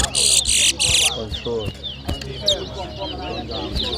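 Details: Towa towa (chestnut-bellied seed finch) singing in a bird whistling competition at New Amsterdam, Berbice, Guyana, 2023: three loud, dense, buzzy high bursts in the first second, then men talking over a murmuring crowd.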